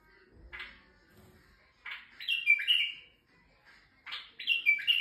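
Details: White-eared bulbul male, recorded in Turkey, singing to arouse females: two bright, bubbling phrases of falling slurred notes about two seconds apart, preceded by a soft note and a low bump.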